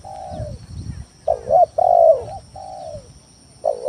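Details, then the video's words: Spotted dove (tekukur tanah) singing a lure song to provoke rivals: soft falling coo, then a loud double coo and long sliding coo, another soft coo, with faint low rumble early. "Suara Pikat Tekukur Tanah full gacor Nekan lawan"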